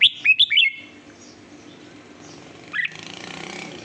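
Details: Red-whiskered bulbul with a quick phrase of three bright whistled notes, a pause, then one rising note, followed by a rustling hiss.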